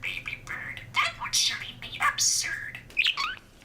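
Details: A male pet budgerigar that mimics over 130 phrases chatters rapid, high-pitched copied human phrases such as "it's not easy being green" indoors to get his owner's attention, squeezing words into thin, buzzy warbles.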